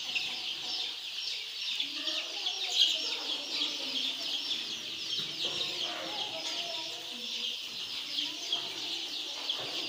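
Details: Young chickens at a poultry farm peeping together in a dense, continuous chorus of high, thin cheeps, with scattered lower clucking notes underneath.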